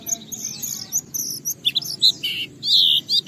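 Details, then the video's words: Oriental white-eye song used as a lure for other birds: thin, drawn-out high whistles at first, then a few sharper chirped notes and a longer buzzy trill near the end. "Pleci Bahan Segera Ngalas Nembak dan Bongkar isian setelah diperdengarkan pleci gacor ini"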